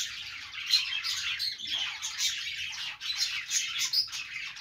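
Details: Budgerigars in a group keep up a busy, overlapping twitter of bright chirps and scratchy warbled notes, rising and falling in loudness throughout, with a few sharper high tweets standing out.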